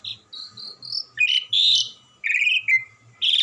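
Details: Asian pied starling kept as a gacoran bird, sounding non-stop: slurred whistled notes, then loud harsh rasping blasts and a descending whistled phrase, ending in another buzzy burst; a low hum runs throughout.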